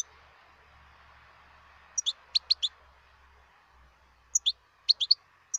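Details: Wild European goldfinch singing: scattered short bright chirps in small clusters of two or three, separated by brief pauses, over a faint low background hum.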